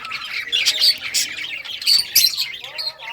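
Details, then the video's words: Several budgerigars of rare colours playing with toys, a dense chatter of short scratchy squawks and chirps in quick irregular bursts, with faint low tones beneath. "Budgies all rare colors playing and chirping sounds playing with toys"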